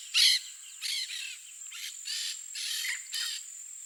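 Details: Rough, grating calls of a yellow-faced parrot in natural habitat in Brazil: a loud opening squawk, then a run of shorter scratchy bursts about half a second apart, with a constant shrill insect drone throughout.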